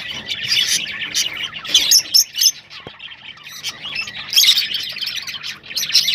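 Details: Rosellas chirping to stimulate breeding, bursts of shrill twittering and squeaky notes alternating with brief quieter gaps.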